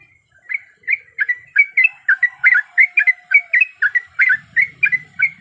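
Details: Sooty-headed bulbul, a female in breeding condition calling to the male, gives an even, fast series of short chirps, nearly four per second, over faint background hum.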